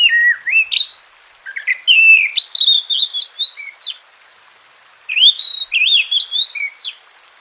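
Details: Oriental magpie-robin song, a training recording meant to get reluctant caged birds singing: clear whistled phrases with rising and falling slurs and sharp upswept notes, two bursts separated by a pause of over a second.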